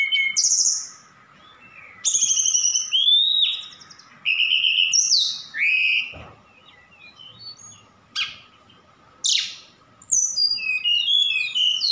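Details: A Javan bush lark from Sukabumi in full voice, mixing in imitations of cililin, sikatan londo and other species. Loud phrases of rapid chirps and downslurred whistles come in bursts separated by short pauses, over a faint steady hum.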